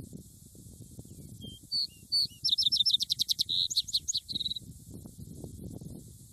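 A House Wren's bubbling song, a few introductory notes and then a rapid, rolling run of trills and buzzy chatters over about three seconds, with soft low background rumble.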